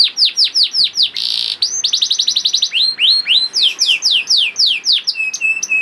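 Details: Young canary song meant to stimulate other canaries: fast repeated falling whistles about four per second, a short harsh buzzy burst, rising and falling slurred notes, ending in level piping tones.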